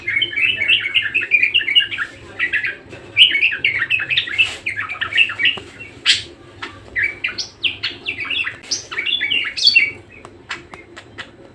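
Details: Budgerigar in sustained, persistent song: dense chattering warble of squeaky, buzzy chirps and clicks in uneven bursts throughout, with a faint low hum behind.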